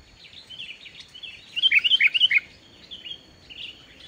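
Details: Sooty-headed bulbul in lively full song without mimicked phrases, used as a lure to prompt reluctant bulbuls to sing: a quick bubbly run of five or six rich, liquid whistled notes mid-clip, with softer warbles before and after.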